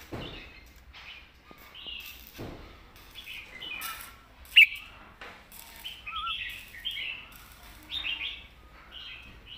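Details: Red-whiskered bulbul in southern master song, heard rather quietly: scattered short whistled and warbled phrases with one sharp louder note near the middle, some clicks and background rustle.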